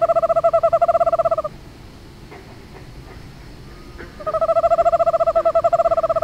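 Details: Eastern screech owl giving a steady monotone trill, a rapid even series of soft tremolo notes lasting over a second, then silence, then the same level trill again; low hooting pitch with no other clear sounds.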